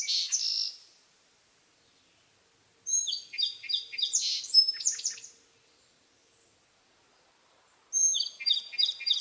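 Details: Song sparrow song, recorded near a cottage at eight in the morning: bright repeated introductory notes followed by a rapid buzzy trill and tumbling chirps, songs separated by about two seconds of silence.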